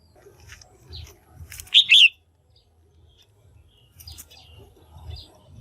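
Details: One call from a female red-whiskered bulbul, used to stimulate males or for pairing: a single loud two-note whistled chirp, the notes quickly linked, amid faint chirps and low background rumble.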